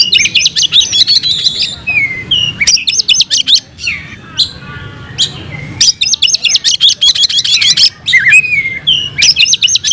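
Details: Oriental magpie-robin pouring out fighting song and filler phrases: repeated bursts of rapid, shrill chattering notes alternate with falling whistles and short quieter gaps across several phrases.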